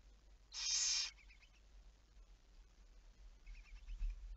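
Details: Single loud, breathy barn owl hiss about half a second long, then soft rapid ticking, recorded on 11 May 2019 at 23:34.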